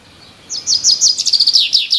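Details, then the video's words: Bird chirping in the trees: a quick run of high, sharp chirps starting after half a second, each note sliding downward, repeated about seven times in a steady string. "Birds Chirping in the trees"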